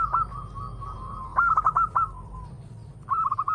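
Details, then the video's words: Quieter local zebra dove lure song over a low rumbling background: a sustained coo slides into a stuttering burst of rolling notes, then another short trilled phrase begins. "pancingan perkutut lokal"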